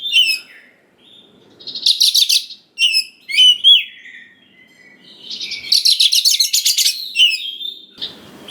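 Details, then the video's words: Oriental magpie-robin song as a lure for young wild birds. Whistled slurs alternate with dense, fast, buzzy chatters of repeated notes, with a scratchy noise at the end. "Pancingan Suara Dasar Kacer Gacor Cocok Sekali Untuk Pendongkrak Emosi Kacer Muda Hutan Agar Nyaut"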